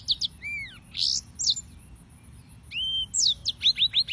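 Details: Yellow-fronted canary (Serinus mozambicus) singing: clear whistled notes, some arched and rising, others sweeping down, with a fast burst of short repeated chips near the end, separated by brief pauses.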